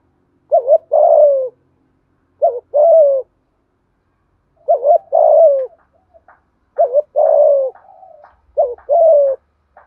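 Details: Spotted dove repeating its urgent 'thúc gù' coo in 'giọng thổ' style to challenge a rival male: five low phrases, each a brief wavering pair then a falling coo, spaced irregularly.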